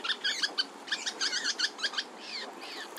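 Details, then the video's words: Three juvenile western kingbirds in California, waiting for parents to deliver food, give high, harsh chittering begging notes in quick overlapping bursts, several per second. "WESTERN KINGBIRD juveniles waiting to be fed"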